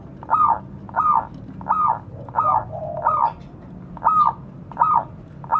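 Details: Zebra dove, local stock, calling to fellow birds: a run of eight soft, arching coo notes repeated about every 0.7 seconds, with a faint lower tone among them.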